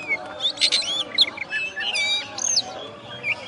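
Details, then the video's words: First-place contest oriental magpie-robin (kacer) from West Kalimantan, Indonesia, a master-tutored bird, pours out a rapid, varied medley of rising whistles, slurred notes and twittering phrases with hardly a pause. "Video Kacer Juara 1 Habis Gantang"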